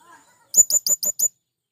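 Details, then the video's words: A faint low murmur, then a male blue-crowned hanging parrot calling to wild birds with a quick string of five thin, shrill, high chips. "Burung Serindit Jantan Memanggil Kawan"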